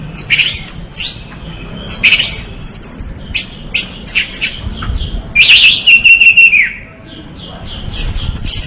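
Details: An orange-headed thrush (Geokichla citrina) sings a loud, varied song of quick chirps, twitters and bright phrases, with one long sustained whistle near the end.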